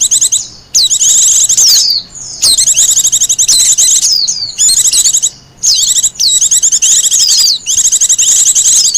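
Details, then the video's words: Bursts of bright, high twittering from a wild Japanese white-eye, recorded as lure and master song, long phrases of rapid notes mixed with descending whistles, broken by brief pauses. "Suara burung pleci liar,cocok buat pikat dan masteran."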